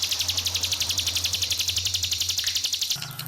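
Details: Pied fantail song over trickling water: a rapid, regular high-pitched trill of clipped notes, about four per second, holding steady for three seconds before a brief break, with a low hum underneath.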